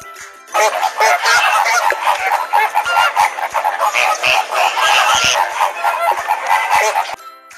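A dense flock of flamingos gives a nonstop chorus of nasal, goose-like honks and grunts that overlap for about six seconds.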